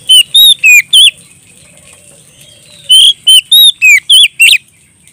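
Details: Oriental magpie-robin singing loudly in full, clear ngeplong style while calling a rival: a burst of four loud whistled notes, a pause of nearly two seconds, then six more varied, slurred whistles in quick succession.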